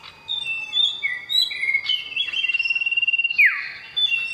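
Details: Loud male oriental magpie-robin calling a female: sliding whistles, a long level whistle, a rapid stuttering trill, then a sharp downward sweep.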